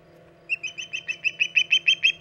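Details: Ten or so evenly spaced, high chirping whistles from an osprey at the Hog Island nest, mid-August 2019, late morning, building in loudness.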